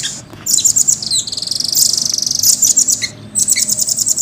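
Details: Brisk, clear singing by a caged velvet-fronted nuthatch: piercing notes flowing into a long buzzy roll of rapid pulses, then a short gap and more quick ticking trills.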